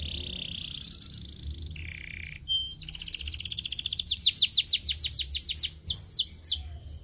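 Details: Canary singing meant to stimulate practice: held buzzy tones and a clear whistle open, then a fast rattling trill builds into a loud series of rhythmic down-slurred sweeps.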